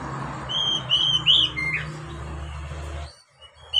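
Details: Oriental magpie-robin song aimed at teaching young captive birds to sing: one phrase of ringing whistles ending in a quick drop, then a faint whistle after a hush, over a low hum.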